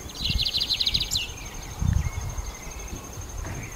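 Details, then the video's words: Lined seedeater: one short, fast, buzzy high trill ending in a rising flick, then only faint chips. Low rumbling noise and a constant high whine are present. "CANTO DO BIGODINHO"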